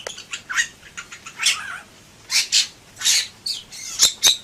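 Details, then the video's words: Bali myna (jalak bali) in 'gacor' song: soft chattering notes and a wavering slurred call, then louder rasping squawks and two sharp clicks, about three phrases every five seconds. "Suara Burung Jalak Bali Gacor"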